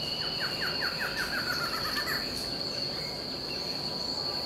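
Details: Barred Antshrike, one of a pair in a backyard in Itupeva, São Paulo, Brazil, gives a run of nasal notes that speeds up over about two seconds, over a steady high insect drone.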